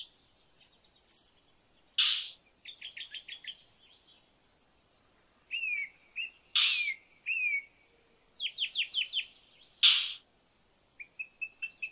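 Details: Indian roller calling with three loud, raspy bursts roughly four seconds apart, between quick series of short, clipped notes and whistles from other birds.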